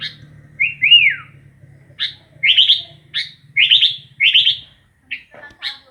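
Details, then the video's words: Sooty-headed bulbul with a rising-then-falling whistle followed by a series of bright, buzzy chirped notes about every half second, over a faint low hum. "Burung kutilang asyik"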